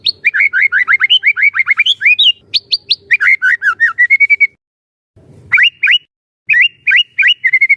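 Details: Captive white-rumped shama, played to make other shamas sing, pouring out rapid chattering phrases of repeated falling notes and high whistles, with two brief pauses before more quick repeated notes.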